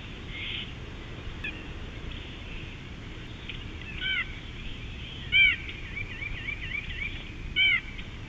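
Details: Bald eagle at Big Bear in 2018 giving a few high, thin chittering notes spaced by about two seconds, each a short squeaky stutter, against steady wind-like background hiss.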